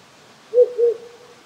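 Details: Wild owl calling at night from small hills beside a rural Japanese home in cold weather: two low, mellow hoots about a quarter second apart, trailing into a faint tail, over the steady hiss of a nearby stream.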